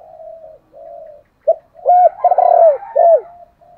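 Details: Spotted dove used as a decoy to lure other doves: low steady hooting notes, then a loud burst of three strong, arched coos in quick succession, ending with a soft sustained note.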